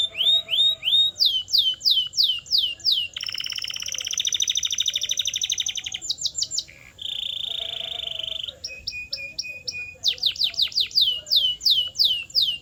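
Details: Canary training song with varied tours: rising whistles, then falling sweeps, then a long dense buzzy trill, a steady high whistle, and short chips, ending again in quick falling sweeps.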